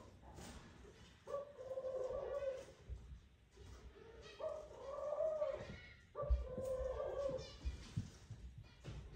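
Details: Male Eurasian collared dove calling his mate to the nest during courtship: three long coos spread over nine seconds amid rustling, knocks and low background noise.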